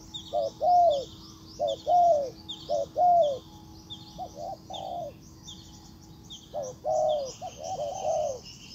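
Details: Decoy spotted dove calling to bring a wild bird in. Low, muffled coos in broken phrases with a pause midway, then resuming. Repeated high chirping from other birds carries on in the background.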